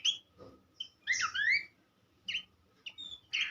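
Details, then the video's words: Horsfield's babbler, a recording meant to tutor songbirds: scattered short calls separated by pauses, including a prominent cluster of twisting, rising whistled notes and a few sharp high chips, over faint hum. "vokal mewah sang guru masteran khas pelanduk semak."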